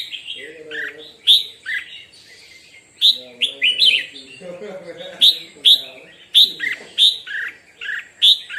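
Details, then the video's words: Morning singing practice by a red-whiskered bulbul, loud clear warbled phrases of sharp whistled notes repeated in quick bursts, with low human speech murmuring underneath. "Chào mào hót - Luyện chào mào hót buổi sáng"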